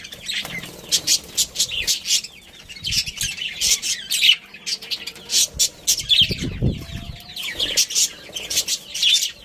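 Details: Budgies, a breeding pair and family, keep up squawky chatter: a steady series of short, harsh high notes about twice a second, mixed with softer warbled twitters and a dull thump.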